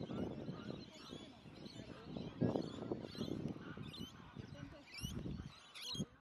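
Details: Several Australian wood ducks squabble in suburban Melbourne, Victoria: a stream of low, honking, nasal calls with brief high squeaky sweeps near the end, over steady background rumble.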